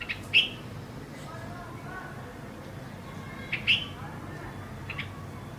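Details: A bulbul on a home balcony gives two short, bright chirps about three seconds apart, with a fainter note near the end, over a steady background hum.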